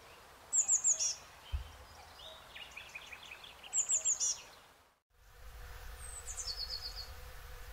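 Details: Eurasian blue tit near Córdoba, Spain: two bursts of thin, very high descending notes, each followed by a lower chatter, then a short buzzy trill, over steady background rustle and low rumble.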